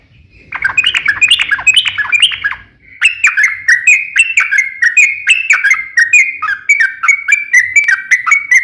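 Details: Yellow-vented bulbul, or trucukan, giving an energetic long rolling ropel panjang song meant to lure other bulbuls into singing. Dense run of quick, throaty warbled notes rising and falling, with a short break before a steady stream of repeated chirpy phrases.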